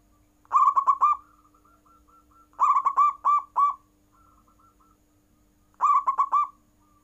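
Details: Caged zebra dove cooing at full strength, its calls prompting rival birds to answer: three bursts of rapid, stuttering pulsed notes about two and a half seconds apart, with soft cooing between them and a steady low hum underneath.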